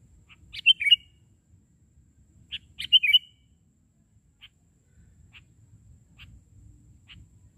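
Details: Sooty-headed bulbul singing actively on the ground instead of from a branch, recorded while trapping birds; two short bubbly, whistled phrases near the start and around three seconds, then single clipped chirps spaced about a second apart over a quiet background.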